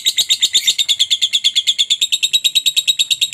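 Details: A lovebird's lure call, used to prompt other lovebirds into singing: a steady stream of rapid, shrill, metallic chirps repeated several times per second without a break.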